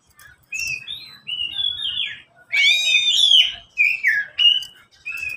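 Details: Oriental magpie-robin song from one of three caged birds that reply to each other: clear whistled notes, some gliding upward, then a loud, rich, layered phrase and short slurred whistles separated by brief pauses.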